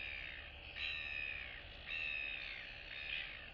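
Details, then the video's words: Royal albatross chick chat between neighbouring chicks in a colony, 9 September 2022: three drawn-out whining calls, each about half a second long, over steady background hiss. "Royal Albatross ~ Cute Chick Chat & Interacting Among Neighbors!"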